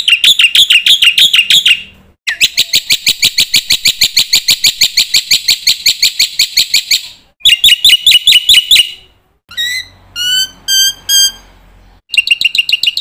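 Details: Black-winged myna lure song packed with fill-in phrases for training young mynas: extended runs of rapid, rattling, bright notes, interrupted by short pauses and a few clearer whistled slurs near the end.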